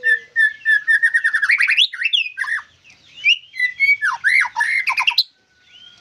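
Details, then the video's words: White-rumped shama opening with a fast run of repeated chirps that quickens and rises, followed by looping whistles and sharp sweeping phrases before a sudden stop. "Murai Gacor"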